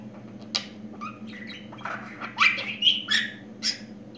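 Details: Budgerigar kept as a pet and newly talking: scratchy warbling phrases swelling into louder, grating squeaks and chirps near the end, a steady hum beneath.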